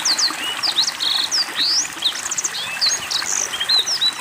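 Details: Black-throated Canary singing actively with water therapy: rapid, varied high whistled notes, upward sweeps and short buzzy trills tumbling together, over a steady background of trickling water.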